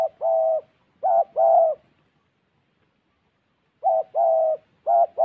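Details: Decoy spotted dove in Gia Lai calling loudly: paired coos, a short clipped note leading into a longer steady hoot, repeated after a silent gap of about two seconds.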